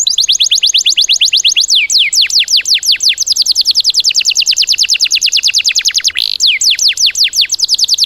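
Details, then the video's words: Bird song material for training cage birds, in a rapid-fire style: fast series of sharp downward-sweeping whistles, about nine per second, over a continuous high ticking series, with brief changes of pace midway. "MATERI ISIAN BURUNG TEMBAKAN"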